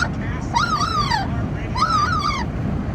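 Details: Amazon parrot in a moving car, giving two matching drawn-out calls about a second apart, each rising then sliding down like a whiny wail, set against constant wind roar.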